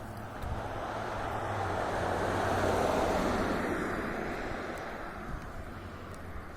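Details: Steady broadband rumble of wind or passing traffic swells and fades, with no animal calls heard.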